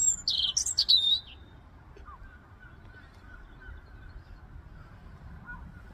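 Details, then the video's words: A European robin sings in winter: one brief phrase of high, thin, quick-changing warbled notes, then silence against a soft outdoor hush. "winter Robin song"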